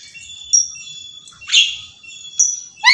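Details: Black-capped lory screaming nonstop: three shrill, harsh screeches with piercing whistled overtones, spaced about a second apart, and a fourth starting at the very end, over a quiet background.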